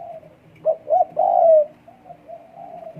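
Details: Cooing spotted dove in breeding condition: two short soft coos followed by a longer drawn-out, slightly falling coo, then fainter trailing coos.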